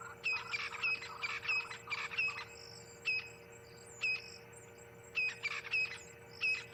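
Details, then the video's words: Crested francolins calling in the afternoon at Ngala Private Game Reserve, South Africa: harsh, scratchy rattling phrases in quick bursts, several in a row then pausing, over a faint hum; faint light whistling possibly blue waxbills. "So you can hear mainly the francolins calling, the crested francolins."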